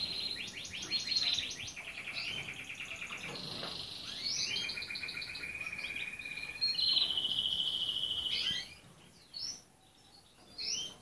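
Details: Red canary singing a continuous song of rapid rolling trills and repeated notes, shifting between phrases, with long steady buzzy trills in the middle before the song breaks off into a few short scattered chirps.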